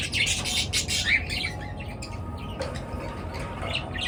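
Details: Pet birds chirping in the morning: a dense burst of high, scratchy chirps in the first second and a half, then quieter scattered tweets over a steady low hum.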